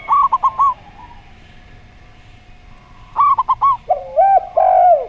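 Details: Slow-voiced perkutut (zebra dove) with a gayer derkuku: a fast clipped phrase at the start, a pause, then another clipped phrase leading into long, deep, bending coos.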